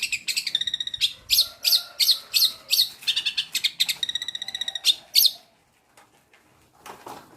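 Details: Long-tailed shrike with imitated material, giving a fast stream of loud sharp chirps and buzzy trills for about five seconds, then falling almost silent apart from a few faint clicks and soft noise.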